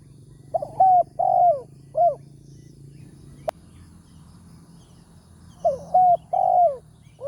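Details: Morning trapping session with a decoy bird, the wild spotted dove target having a big 'tarik akar' voice; two four-note phrases of rich, low coos with a drawn, falling note, separated by a pause broken by one sharp click.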